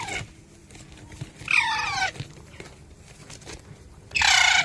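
An Indian ringneck parakeet gives two short, harsh, voice-like bursts about two and a half seconds apart, the first with falling, sliding tones. A low background hum runs beneath.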